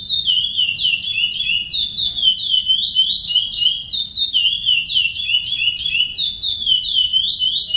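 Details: Chestnut-bellied seed finch singing the "praia" song meant for young birds to learn: continuous, fluid whistled phrases of falling slurred notes, repeated several times a second without pause, with a steady low hum behind.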